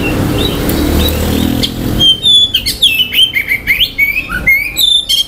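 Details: After two seconds of low background noise, an Oriental magpie-robin starts a lively song of clear whistles, rising and falling slurs and buzzy notes. The song is said to trigger other males' aggression and breeding urge.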